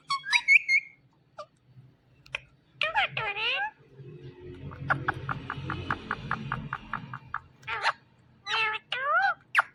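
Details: Pet Indian ringneck parakeet talking: bursts of high, chattering, speech-like syllables with wavering pitch, then a rapid run of about a dozen evenly spaced clicks over a low background murmur, then more chattering phrases.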